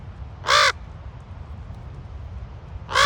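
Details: Raven calling at Ocean Beach, San Francisco: a loud harsh croaking caw near the start and another beginning at the very end, over a low steady rumble of surf or wind.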